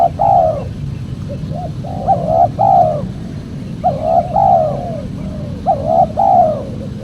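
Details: Lure recording of spotted dove cooing, used by trappers to call wild birds. Paired mellow coos, the second note longer and slightly falling, repeat in phrases about every two seconds over a constant low hum.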